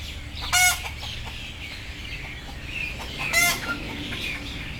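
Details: Sleepy chickens frightened about being put on board: two loud, rasping squawks nearly three seconds apart, soft clucks between them, low background hum.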